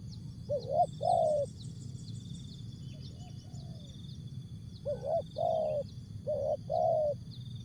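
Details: Spotted dove from Asia performing jergot, tapau and bungkus song: a low double coo, a pause with a soft faint note, then two more paired coos in quick succession, against steady high hum and low noise.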